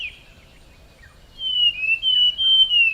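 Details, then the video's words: Forest scrub robin (Cercotrichas leucosticta) whistling a pure, sustained high note that rises and falls in gentle waves for about a second and a half, following a brief softer note, with little background noise. "Rouxinol da Floresta - Ouça seu lindo e misterioso canto"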